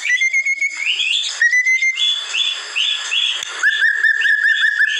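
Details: White-rumped shama song for tutoring captive birds: sweet whistled notes, rising slurs and short phrases, ending in a quick series of repeated whistled chirps, loud and continuous.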